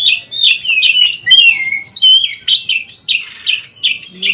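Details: Oriental magpie-robin (kacer) song used as daily mastering material for training birds: rapid varied whistled phrases, sweeping notes rising and falling, with short chirps and a few high thin notes in a continuous stream.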